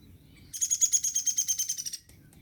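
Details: A downy woodpecker in an oak at La Barriere Park on 24 July 2021 gives a rapid, even series of about fifteen high, thin notes lasting one and a half seconds, over a faint low background rumble.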